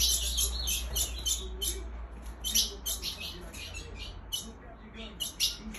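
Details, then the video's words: A female ultramarine grosbeak gives sharp, high chips in irregular bursts, several each second, over a steady low hum, a call meant to excite males. "Esse piada da fêmia de azulão mãezinha vai deixar seus azulões loucos"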